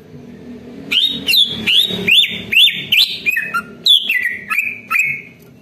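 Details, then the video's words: Greater green leafbird song used as a warm-up lure so other leafbirds answer and sing: a loud series of clear whistled notes with sharp upward flicks, repeated about every half second, stepping down in pitch toward the end. "CUCAK IJO DI JAMIN BUNYI DAN LANGSUNG NYAUT"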